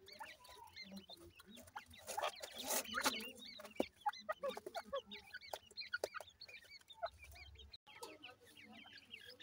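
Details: Grey francolin chicks, heard as many overlapping thin, high peeping chirps repeated rapidly, with a noisy burst of rustling partway through.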